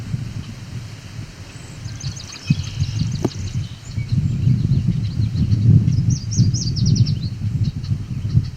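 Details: Male Yellow Warbler singing, recorded July 17, 2019 near Cape Chin North, Ontario, Canada, in edge habitat; 'sweet, sweet, sweeter than sweet' song variant. Two bursts of high, quick sweet notes, the second ending in a fast run, over steady low rumbling noise.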